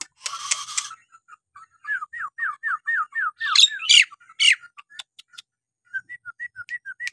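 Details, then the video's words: Nias hill myna singing to stir quiet birds into song: a harsh buzzy burst opens, then a steady series of clear whistled down-slurs repeated about twice a second, interrupted by rough screechy notes before the whistles resume. "jalak nias gacor!! buat terapi jalak nias bahan atau yg malas bunyi agar gacor kembali"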